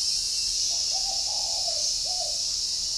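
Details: Morning coo from a caged spotted dove at a breeding garden in Ba Vì, Hanoi, Vietnam: a short, mellow phrase of three soft low hoots, slightly falling, over a steady high-pitched background hiss.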